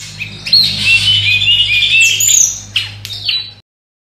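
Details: Hill Blue Flycatcher, a cage bird easily made to sing often, with a voice described as not very special and not improvable by tutoring, giving quick high warbled and whistled notes with wavering pitch, then a few sharp clicks. A steady low hum continues underneath.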